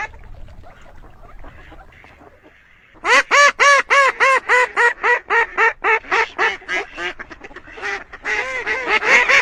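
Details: After three seconds of faint background noise, a duck breaks into a loud, rhythmic run of harsh nasal quacks, roughly four per second, continuing to the end.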